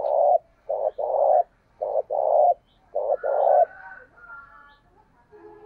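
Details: Decoy spotted dove cooing to draw in wild birds: several hoarse, low coo phrases in quick succession, followed by softer chirping and whistled notes from other birds.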